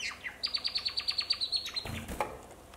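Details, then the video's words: Male African silverbill singing: a fast even series of about twelve high, thin descending notes, roughly ten per second, followed by a brief noisy burst and softer trailing notes. "Silberschnäbelchen gesang / African Silverbill singing"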